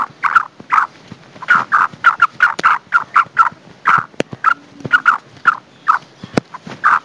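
A female black francolin gives a steady series of short, harsh clucking notes, two or three each second, with a couple of sharp knocks in between.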